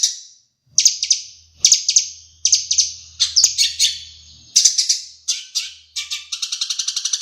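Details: Long-tailed shrike of the Madura type singing with mimicked sparrow and Java sparrow phrases: bursts of harsh, scratchy high notes in short groups, then a fast run of even, repeated chips near the end.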